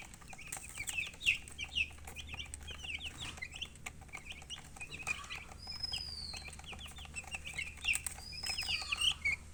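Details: Domestic chicken chicks peeping in a busy chorus, dense runs of brief, high, falling chirps from several birds, with two drawn-out whistled notes partway through over a constant low hum.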